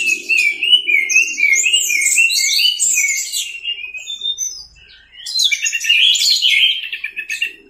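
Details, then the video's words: Masteran recording of an orange-headed thrush (anis merah) in 'teler' style: fast, continuous, chattering warble of mixed whistles and trills, a short gap near five seconds, then another energetic, jumbled phrase. "MASTERAN ANIS MERAH TELER"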